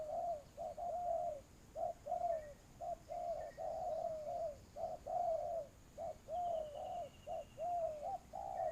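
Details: Spotted dove kept as a trapping decoy, delivering a continuous run of low coos, short notes paired with longer falling ones, with brief gaps; a faint thin whistle from another bird appears midway.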